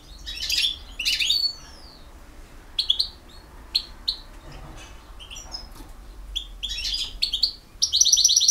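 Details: European goldfinch, a field-caught singer from Bosnia and Herzegovina, giving scattered bright twittering notes and short buzzy trills with pauses between phrases, ending in a rapid ringing trill.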